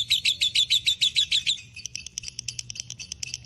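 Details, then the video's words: Lovebird kept as a fighter bird, in breeding condition, delivering ngekek chatter: strong rapid raspy notes that become softer, quicker and more clipped after about a second and a half. "love birds fighter durasi 2menit ngekek panjang"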